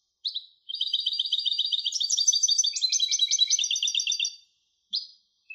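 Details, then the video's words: European goldfinch hybrid singing a long, lively phrase of quick repeated tinkling and twittering notes at high pitch, varied in tone, lasting about four seconds, then a brief pause and a couple of short chirps. "تغريد هجين الحسون Canto De Mixto del Jilguero"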